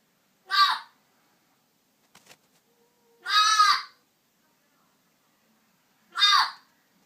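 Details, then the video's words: A pet African grey parrot calls in a bedroom first thing in the morning: three harsh, raspy squawks, each under a second long and spaced about three seconds apart, with a faint click between them. "Noisy Parrot"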